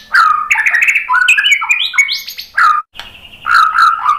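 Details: White-rumped shama singing, a lure for making birds respond: loud, fast, varied phrases of rich fluty whistles that jump up and down in pitch, broken by a brief silence before more mellow notes.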